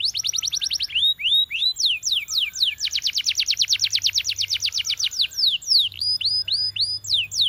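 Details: Belgian canary song used to train canaries: a fast trill of short notes, down-slurred whistles, then a long steady roll of rapidly repeated sweeping notes, with further slurred phrases at the end.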